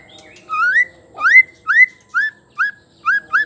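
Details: Female white-rumped shama voice meant to make males sing: loud, clean upslurred whistles, each rising sharply then levelling, repeated about every half second for seven notes against a quiet background.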